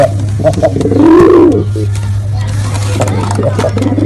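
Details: A male pigeon performs one drawn-out, rising-then-falling coo in the middle, with a constant low hum and scattered soft clicks around it.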